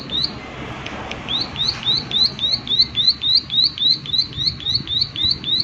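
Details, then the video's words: Prinia in natural surroundings delivering the 'klik klik' call: a steady, regular stream of high, rising-then-falling click notes, roughly four per second, over faint background noise. "Prenjak Klik Klik Gacor Suara Alam"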